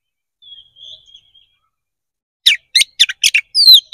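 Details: Kacer (Oriental magpie-robin) fighting song meant to provoke another bird: a soft, thin whistle drawn out at first, then after a pause a burst of loud, sharp chirps and a bright descending whistle.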